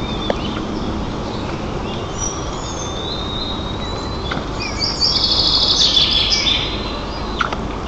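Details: A young white-tailed eagle in its nest in Nizhnyaya Kama National Park, Tatarstan, on 30 June 2024, squabbling with its mother over feathers its father brought, gives thin, high squealing whistles, the longest and loudest near the end, over wind and rustling.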